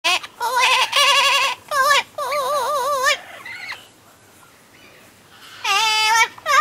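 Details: Double yellow-headed amazon parrot at the UK Parrot Zoo, heard late at night during a night check; loud nasal warbling phrases with wavering, siren-like pitch, repeated in bursts with short pauses between.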